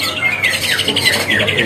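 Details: Several caged, large-bodied greater green leafbirds at a Pramuka bird-market stall in East Jakarta, calling actively after eating fruit: quick, bright chirps and short whistled phrases tumble out in a busy run over the market's steady background hum.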